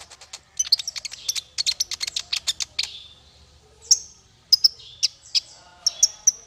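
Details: Male Van Hasselt's sunbird (konin), recorded as tutor song for songbirds: a fast dry chatter of high clicks for two seconds, a pause, then sharp piercing chirps spaced about half a second apart.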